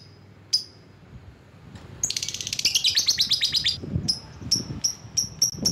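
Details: Lovebird used to call in rivals: scattered high chips, then a fast rattling chatter of rapid buzzy notes for about two seconds, followed by evenly spaced sharp chips; faint low thumps in the background.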